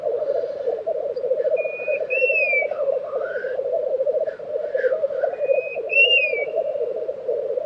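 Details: Steady bubbling of a black grouse lek, Tiveden, Sweden, April 2023, with paired sliding whistles from another bird about four seconds apart and some softer rising calls.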